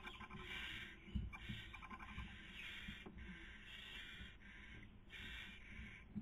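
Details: Barn owls at a nest webcam in Cabañeros National Park, Castilla-La Mancha, Spain, during the 2020 breeding season, with the female feeding and the male trying to sleep. Harsh, breathy hissing bursts repeat steadily over a low rumbling background.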